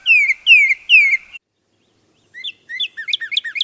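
Tufted titmouse whistling three clear, falling notes in quick succession, followed by a chickadee's higher, scratchy chattering.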